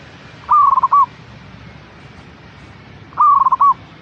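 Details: Two stuttering coos from a zebra dove, meant to encourage a caged bird to sing: each starts on a steady tone, breaks into fast beats and closes with a brief sustained note, spaced about 2.7 seconds apart.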